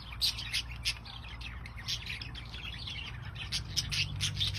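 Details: Budgerigars in a home aviary chatter in quick, scratchy chirps and squeaks over a low steady hum.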